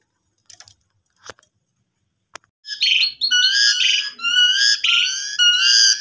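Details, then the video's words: Asian pied starling lure for a caged bird after the owner's Lebaran homecoming trip: a few faint clicks, then a continuous, loud, jumbled warble of buzzy chatter and repeated slurred whistles. "Pancingan Jalak Suren Abis Mudik Lebaran"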